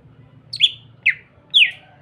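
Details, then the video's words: Greater green leafbird singing to provoke other green leafbirds: three separate sharp downslurred whistles, each falling steeply from high pitch, spaced about half a second apart, with a faint low hum behind. "Pancingan handal burung CUCAK IJO gacor merangsang cucak ijo lain bunyi."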